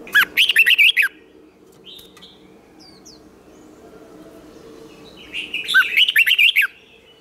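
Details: Caged red-whiskered bulbul in competitive singing for training: two bursts of fast, bright warbled phrases with rapid up-and-down notes, the first at the start and the second near the end, separated by a quieter gap with a few soft notes.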